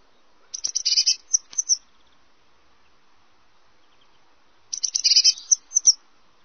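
Eurasian Blue Tit singing two high, thin phrases, each of a few sharp notes running into a fast buzzing trill, about four seconds apart.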